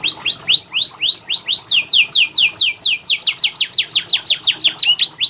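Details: Canary training song meant to get lazy birds singing. A series of rising-then-falling whistled sweeps comes about three per second, then gives way to a faster run of steep descending slurs and a closing rising note.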